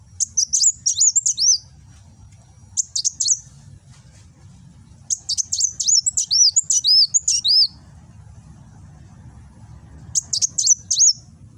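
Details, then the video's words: In Gresik, East Java, a caged kolibri wulung (Van Hasselt's sunbird) sings 'nembak', a bold song shown with its tail raised as a sign it is ready to fight, phone-recorded: four bursts of very high, rapid, twittering and swooping notes separated by silences. "Burung Kolibri Wulung nembak"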